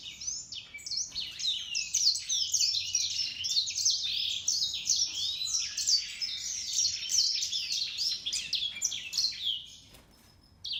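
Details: Grey singing finch and canary hybrid singing a dense, continuous warbling song of rapid high twitters, trills and sweeping notes for about ten seconds, fading out near the end.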